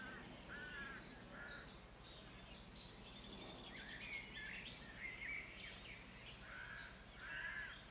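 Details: White stork chicks on their nest begging while being fed: short, nasal, harmonic calls in bursts of two or three, repeated irregularly over a steady background hiss and low rumble.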